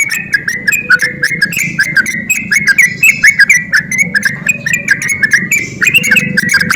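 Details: Lure song of a sooty-headed bulbul meant to stir reluctant birds to sing: a steady stream of quick, liquid, chattering notes that dip and rise, with low background rumble throughout.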